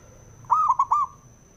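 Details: A male zebra dove cooing to provoke other doves, one brief phrase of three soft tremulous notes, the first longest, heard with a faint constant high-pitched tone.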